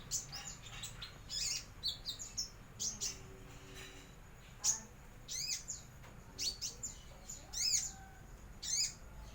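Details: Juvenile brown-throated sunbird just beginning to learn its whistling sounds and opening its beak; high, thin, sharply down-slurred chirps come in irregular bursts of one to three notes, over a low background hum.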